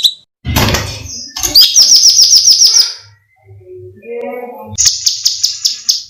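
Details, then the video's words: Training recording of a bulbul, locally called cucak cungkok, uttering shrill screaming calls: short bursts of rapid, harsh, high repeated notes broken by gaps, with some low thumping and scraping noises between them. "MASTERAN JERITAN SEREM (cucak cungkok)"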